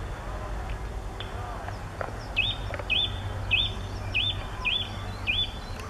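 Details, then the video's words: Eurasian nuthatch at Lago de Sanabria on 22 September 2013 gives a run of six clear, upward-hooked whistled notes about twice a second, over a low background rumble. "Trepador azul"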